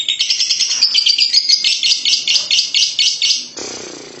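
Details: Lovebird giving a long chattering trill, locally called ngekek panjang: a rapid, harsh string of high notes repeated steadily for about three and a half seconds before breaking off.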